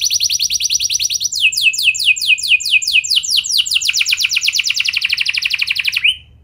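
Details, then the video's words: Canary song meant to set other canaries singing: a fast even trill, then a run of loud downward-sweeping whistles, quickening into a rapid roll that stops abruptly. "Pancingan Ampuh Bikin Kenari Lain Bakal Ikut Gacor Do0r Dengan Pancingan Ini! Langsung Nyaut Ngeroll"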